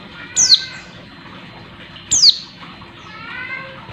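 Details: A female Oriental white-eye, apparently in breeding condition and calling to males, gives two thin, high, sharply falling notes about two seconds apart, with faint chirps and a low background hum.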